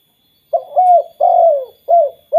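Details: Spotted dove in "kuk 2" style, a call that sets off other spotted doves, repeats soft hooting coos: short notes around a long falling one, the next phrase starting at the end, over a faint steady high tone.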